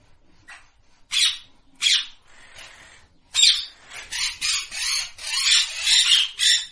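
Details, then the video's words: A parrot gives harsh, raspy squawks, two separate bursts and then a fast run of about seven grating screeches, with no other sounds. "Natural Parrot Voice ।। Parrot Sound Effect ।। টিয়া পাখির ডাক"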